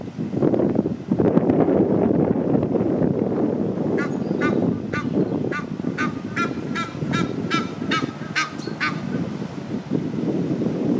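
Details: Egyptian goose family of six, two adults with four two-week-old goslings: a run of about a dozen harsh, rasping honks in quick succession midway through, over heavy low rumbling wind noise.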